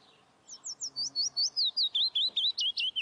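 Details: Saker falcon chicks at the nest in Hungary, 11 May 2012, picked up by a nest webcam: a quick, even run of about fourteen high, wavering chirps, each note bending slightly, with faint low hum beneath.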